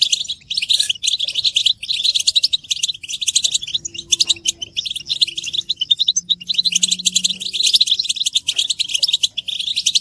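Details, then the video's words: European goldfinch group song with mating and readiness calls to rouse males: a continuous jumble of bright, rapid twitters and chirps, with a soft low tone in the background. "بتبتة حسون الشوك تحفيز الحسون على التغريد والهيجان علاج صمت الحسون goldfinch stimulation"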